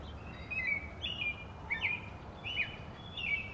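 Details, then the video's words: American robin caroling in short, clear whistled phrases, about five in under four seconds, each rising and falling, over a low steady background rumble. "American Robin Singing"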